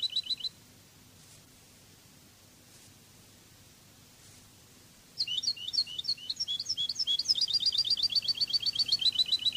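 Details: Spanish European goldfinch singing in the Cádiz style on a song-training CD: a short burst, a long quiet gap, then lively tinkling phrases that speed into a dense, steady, high trill.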